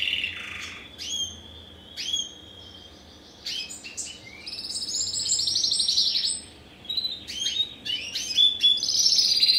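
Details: Captive-bred first-generation Spanish Timbrado × wild canary cross from 2015, ring ST16. It sings clear sustained whistled notes near the upper-middle range, short sweeping chips, then a long buzzy rolling trill and bright rapid tours toward the end.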